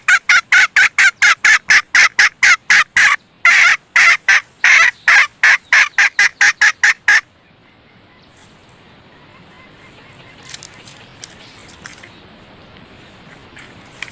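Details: Red junglefowl hen serving as a decoy to lure males utters about seven seconds of fast, evenly paced, harsh clucking notes, roughly two per second, then falls silent, leaving quiet outdoor background with a few faint distant sounds.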